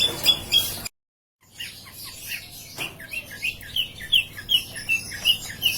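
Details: Caged long-tailed shrike keeps singing steadily while its cage is turned about: after a brief silent break, a quick run of short, sharp, high chirps repeats roughly every third of a second, with fainter notes underneath.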